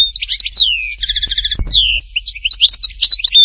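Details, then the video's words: Chardonneret singing Htatba style, Tipaza: downward-sliding whistles, a rapid metallic rattle of repeated notes, another falling whistle, then a scattered string of sharp chirps ending on a clear pure note. "chant chardonneret htatba tipaza حسون حطاطبة"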